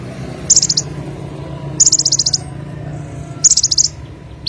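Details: Olive-backed sunbird in energetic gacor song: three quick high-pitched trills of rapid pulsed notes, each under half a second, spaced one to two seconds apart, with faint low background hum.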